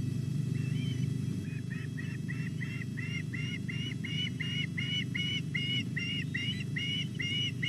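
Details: Osprey chicks at a Llyn Clywedog nest in Wales, one female and two males, at 06:40 on 27 July as an adult brings a whole large fish. Clear upslurred chirps repeat about twice a second over a steady low hum.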